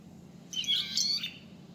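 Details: A single bird call of under a second, a bright, buzzy burst of high twittering notes, set against a quiet low hum.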